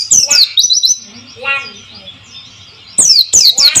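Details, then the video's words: White-eye song meant to lure silent birds into singing, with water flowing: a burst of piercing falling chips, a buzzy lower twitter in the middle, then another shrill rapid burst. "pancingan burung pleci"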